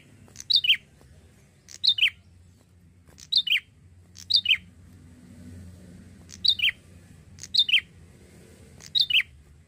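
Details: A young male Bar-winged prinia, already singing a lot, repeats a sharp, high, quickly falling double note about every one to one and a half seconds, over a faint low hum.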